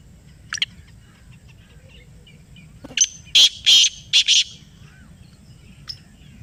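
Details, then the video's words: In answer to a played call, a black francolin gives one loud burst of four harsh, grating notes in a quick uneven rhythm. A few faint chips sound before and after in an otherwise quiet setting. "یہ آواز سنائی تو کالا تیتر بول اُٹھا . Kala Teetar Ki Awaz | Black Partridge Voice"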